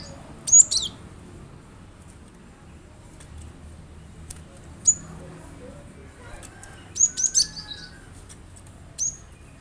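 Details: Cinereous tit used as a lure recording to get a kept bird singing along: sharp, very high, thin chirps in short clusters, a few isolated notes, then a quick burst near the end over faint background hiss.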